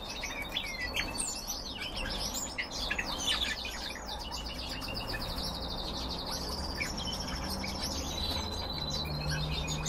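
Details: Several red crossbills kept in captivity chatter continuously: dense, sharp high chirps and short whistled notes overlapping throughout, with a constant low electrical-sounding hum underneath.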